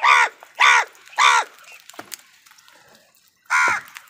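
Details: Harsh crow caws, three in quick succession about half a second apart, then a pause and a fourth, given while crows fight other wild birds for food; sharp clicks and quiet background between calls.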